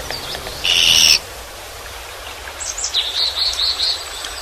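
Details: Single harsh buzz from a Japanese pygmy woodpecker, followed by a soft run of high, twittering chirps and a steady low background hum.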